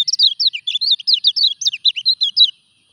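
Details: During its moult a caged common iora keeps singing a lively burst of twisting, high chirps, about sixteen notes in two and a half seconds, in a clean, quiet setting.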